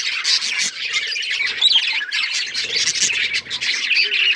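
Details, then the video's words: Budgerigars chirping and talking: a dense, continuous warble of scratchy, buzzy notes and squawks, mostly high-pitched, with a few brief whistled slides, in a constant flock chatter. "Budgies bird talking sounds | Birds chirping sounds"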